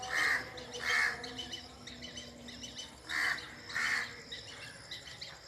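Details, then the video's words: Birds in a forest giving two pairs of rough, raspy calls separated by a quieter gap, with softer chirps and a faint hum in the background. "the original sound of birds under the forest"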